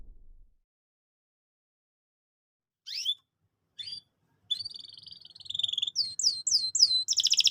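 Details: Domestic canary singing a lure song used to train young canaries. After about three seconds of silence come two short rising chirps, then a fast rattling trill and a series of quick upswept whistles that grow louder toward the end.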